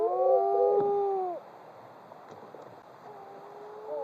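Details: Wedge-tailed Shearwater, an underground-nesting seabird, recorded at a nesting site on Maui, gives a low, wavering, moaning wail for over a second, then a fainter, drawn-out moan, over steady background hiss.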